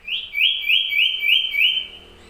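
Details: Common iora, reported to stay in full song day and night: a fast string of about six bright, slurred whistled notes, each swooping up and down, delivered as one smooth even trill over roughly two seconds with a quiet background.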